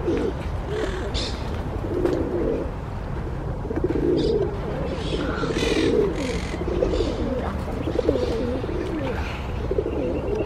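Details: A bold pair of ruddy shelducks (Tadorna ferruginea) approaches for food, the mother coming with her two young. They give soft, nasal honking calls every second or two over a low rumble, with faint chirps from other birds.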